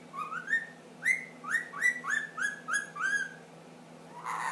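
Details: Ten-month-old pet ring-necked parakeet whistles a run of about nine short, even, slurred notes, matching the finger-snap rhythm of the Addams Family song, followed by a brief noisy rustle.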